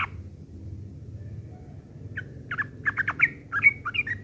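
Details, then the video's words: Sooty-headed bulbul rough chattering, ngeriwik kasar, used as tutoring for long-tailed shrikes: after two quiet seconds a scratchy run of quick chirps builds up, over faint low background hum. "trucuk ngeriwik kasar isian burung CENDET"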